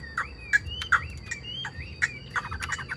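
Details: Chinese hwamei, a kept songbird, giving sparse single whistled upslurs spaced about half a second apart, mixed with sharp clicks and a short stuttering series of notes near the end over a low background hum.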